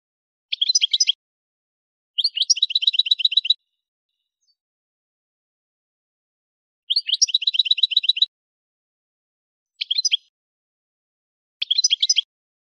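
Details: Algerian goldfinch, Souk Ahras region, Kef El Hammam, singing as a tutor for caged birds: short bursts of rapid, evenly repeated metallic trills separated by pauses of one to three seconds.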